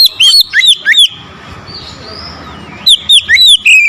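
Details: Oriental magpie-robin in provoked, aggressive song toward a rival: two clusters of four or five loud, bright whistled slurs, separated by a quiet pause with soft distant whistling.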